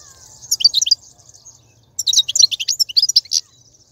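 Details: European goldfinch wild batbata song from 2019, used to motivate a caged bird to sing: two dense bursts of rapid, liquid, high-pitched twittering and tinkling notes, with a steady faint high hiss underneath and a low hum.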